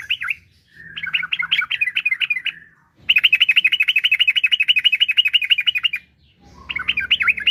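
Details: Yellow-vented bulbul singing a long rolling ropel, played as a lure so other bulbuls answer: a jumbled bubbly phrase, then three seconds of evenly repeated rapid notes, then a fresh chattering burst over soft low background noise.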